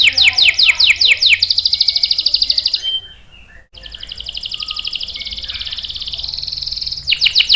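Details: Canary song meant to coax and teach young male canaries: quick descending sweeps become a long buzzy high roll, pause briefly, resume as an extended shimmering trill, and end with renewed sharp downward sweeps.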